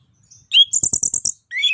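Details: Orange-headed thrush in song used to stir a silent bird to sing: a single sweet whistle, then a rapid row of five harsh, scratchy buzzes with dry clicks, ending in a rising warbled whistle.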